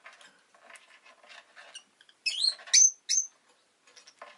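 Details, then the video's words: Soft fluttering and tapping patter gives way to three loud, high, wavering chirps in quick succession from a pet rosy-faced lovebird. "Lovebird Chirping Sounds"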